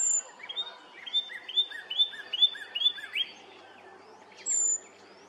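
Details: Brown creeper calling at Nimisila Reservoir in Summit County, Ohio, March 13, 2020. A thin, sibilant, very high note opens and another comes near the end; between them another bird gives a quick series of repeated downslurred chirps.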